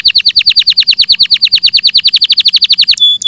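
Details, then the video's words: Canary song recorded clearly as a master tutoring track: a fast, even trill of about thirty downward-sweeping high notes over three seconds, ending in a brief sustained high whistled tone. "Masteran suara burung KENARI"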